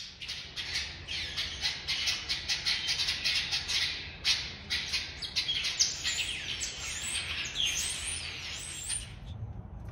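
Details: Taveta golden weaver at Assiniboine Park Zoo, March 2023: a busy, continuous chatter of sharp chirps and buzzy twittering notes, rapid and irregular, over low background hum.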